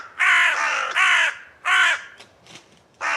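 Hooded Crow giving four harsh, hoarse caws, each about half a second long, in quick irregular succession; quiet background.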